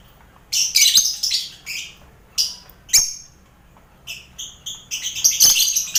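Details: Busy colony of lovebirds alongside finches and quail, a training sound for contest lovebirds; shrill squawks in clustered bursts, a short pause, then dense overlapping high screeches toward the end.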